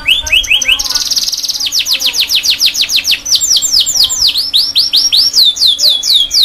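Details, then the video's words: Canary singing a fast, rolling string of high whistled notes, shifting between quick trills, a buzzy rattle and series of clear descending sweeps. "CANARY SINGING"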